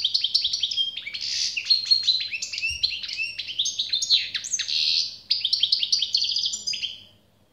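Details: European goldfinch singing generously: a fast, continuous twittering run of buzzy trills, liquid chirps and rising-falling notes, high-pitched throughout, with a faint low hum beneath.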